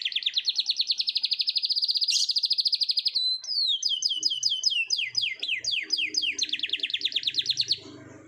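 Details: Canary in the morning singing a long rolling song: a rapid, even trill of high pulsed notes for three seconds, then a series of fast, downward-sweeping whistled notes repeated about twice a second, ending in another brief trill.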